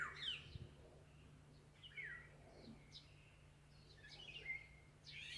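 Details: Birdsong heard in the mountains: bright, sharp chirps and downward-slurred whistles come in quick irregular bursts, with a low steady hum underneath.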